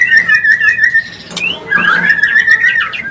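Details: White-rumped shama mating call, played to bring a bird into breeding condition: sustained piping whistles held near one pitch, broken by a sharp upward slur and a buzzy note, then warbled whistling resumes.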